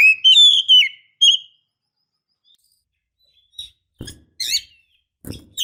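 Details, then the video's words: Oriental magpie-robin female calling to stir males into singing: loud sweeping whistles at the start, a short pause, then scattered sharp clicks and brief high chirps. "kicau burung kacer memanggil - pancingan kacer agar bunyi"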